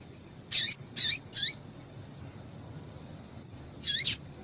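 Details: Female double-collared seedeater giving a rapid run of three sharp, high chip notes with falling tails, then a pause of over two seconds before a quick doubled chip; meant to rouse a male to sing.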